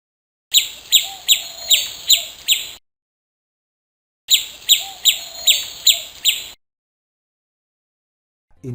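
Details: Sparrow calling with loud, sharp chirps repeated about three times a second, given in two bursts of six notes separated by short silences.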